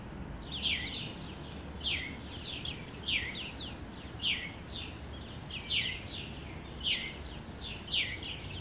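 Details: Birds chirping in the morning in Addis Ababa, Ethiopia: bright, downward-slurred chirps repeated about once a second in an irregular series over a steady low rumble of background noise.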